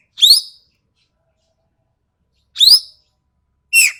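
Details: Racket-tailed treepie (ekek keling) from Sumatra with a sharp, coarse voice, in a training recording: three loud, grating, downward-sweeping notes, the first two about 2.4 seconds apart and the third following about a second later.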